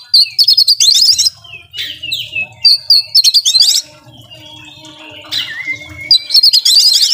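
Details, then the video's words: Oriental magpie-robin song with repeated rapid rattling trills, clipped whistles, and a long drawn whistle sliding slightly downward, in a quiet setting. "Kacer Nembak Full Isian Cocok Buat Pancingan Kacer Yang Lagi Males Bunyi"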